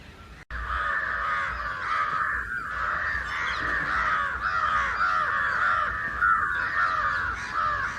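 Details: Crows of two kinds, house and jungle, crowing loudly in a mob against someone; a near-continuous wall of rough, nasal caws, clear and close, with one sharp click early on.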